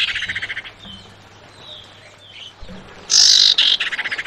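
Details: Female Javan white-eye calling the male: a buzzy rattle of rapid repeated notes, soft thin whistles in the gap, then a loud harsh high burst followed by another quick rattled series.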